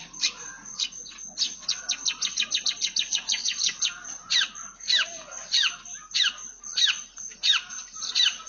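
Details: Long-tailed shrike in full song mimicking a house sparrow: rapid run of sharp chirps at first, then louder downward-sweeping chirps spaced about every half second, all high-pitched and clear with no other sounds.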